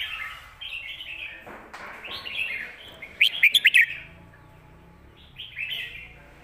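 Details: Red-whiskered bulbul with a strong, clear voice delivering southern Thai master-style song: warbled phrases, a brief loud sequence of five sharp staccato notes, then quieter whistled phrases after a pause.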